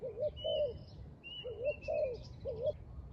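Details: Spotted dove cooing at a trap: a few husky, wavering coo phrases in quick succession, with clear thin whistles from another bird above and low background hum.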